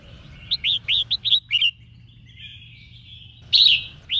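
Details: Female red-whiskered bulbul singing to stir up males and get them singing: a quick run of six short upswept whistled notes, a soft drawn-out note, then a loud, rich burst and one final upslurred note.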